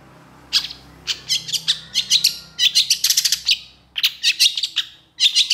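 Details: Long-tailed shrike singing energetically in long bursts, used as a training song for other shrikes: clusters of sharp, high chirps and buzzy notes in rapid runs, with brief pauses between bursts and a faint low hum beneath.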